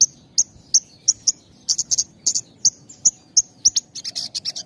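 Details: Song of the Javan bush lark, delivered with short gaps, used to prompt young and half-trained birds: crisp high chips spaced roughly once or twice a second, closing with a quick buzzy run of notes.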